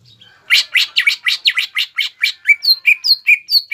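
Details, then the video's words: Greater green leafbird in Indonesia singing hard to provoke rivals into answering: after a brief pause, a fast run of about fourteen loud notes, the first half buzzy, scratchy chirps, the rest clear whistled down-slurs, roughly four each second. "CUCAK IJO GACOR MBESET MEMANCING EMOSI LAWAN AGAR JAMTROK DAN JAMBUL"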